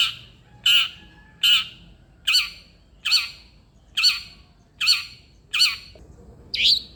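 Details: Long-tailed shrike giving harsh squawking notes, repeated about once every 0.8 seconds, nine in a row, ending with a higher rising squawk; a recording meant to spur a quiet shrike into song.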